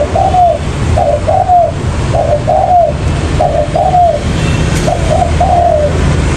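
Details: Spotted dove lure call for trapping wild doves: low cooing phrases of two or three soft hooting notes repeated about every second, over a loud steady background hiss and rumble.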